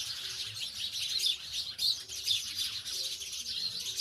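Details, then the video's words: Chirping house sparrows near village dwellings, bright high tweets packed closely together, rising and falling in loudness in short bursts, several birds overlapping; quiet low background hum. "Sparrow गौरैया अब शहर से दूर गाँवो मैं निवास करने लगी है, आवाज आपको जरूर पसंद आयेगी !!"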